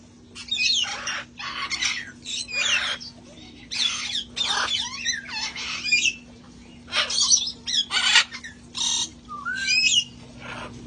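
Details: A sanctuary flock of parrots enjoying time outdoors: a busy run of harsh, raspy squawks, one after another, with short whistled notes in between, almost continuous for ten seconds.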